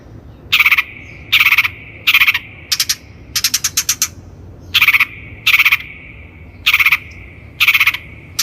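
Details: Long-tailed shrike, recorded as a lure for training birds: loud, grating buzzy bursts in a chattering series, with a quick run of short stuttered notes in the middle, fairly regular spacing.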